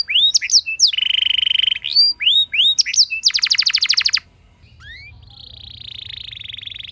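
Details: Canary song played as a lure to set other canaries singing with rich rolls: quick upward-sweeping whistles, a flat buzzy trill, more sweeps, then a fast rattling roll that cuts off into a faint, steady high trill.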